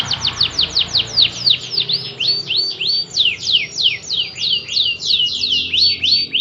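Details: Canary song used to stimulate other canaries into singing, a string of fast falling whistles changing into looping swoops, delivered about three per second, loud and continuous.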